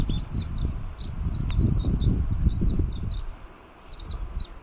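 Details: Warbling white-eye recorded 25 March 2022 in Kunigami village, Yanbaru, northern Okinawa; fast, high-pitched chattering warble of quick downslurred notes throughout, over loud low rumbling background noise.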